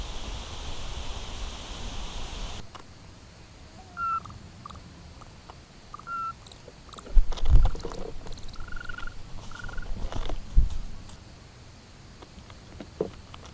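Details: Eurasian scops owl from a pair during the mating season, recorded in spring 2016 in the Cavarzere countryside, Venice province: short pure whistled hoots at irregular intervals, some paired, with a constant high hiss and occasional knocks.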